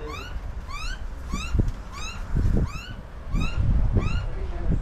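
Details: Wild butcherbird adult with its young at feeding time, suburban Australia in summer; a series of rising, upslurred calls with a strong overtone ladder, repeated about every 0.7 seconds, over low thumps and rustling.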